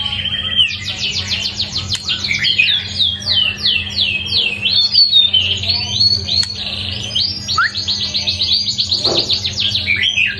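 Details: Deafeningly loud white-rumped shama with one season of plumage pouring out a continuous stream of rapid, harsh, high chattering notes and squeaky slurs for over ten seconds, barely pausing, with a faint low hum beneath.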